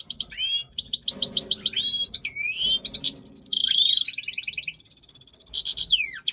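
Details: Continuous breeding-season song of a Major goldfinch: dense, tinkling, high twitters and buzzy trills, rising slurs and quick repeated note series with barely any pause.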